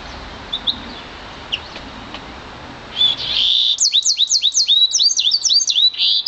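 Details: One-year-old Yarrell's siskin mule bred from an intensive green Fife canary, singing: after quiet faint chirps, a buzzy note leads into a fast run of repeated high whistled upswept notes, about four per second.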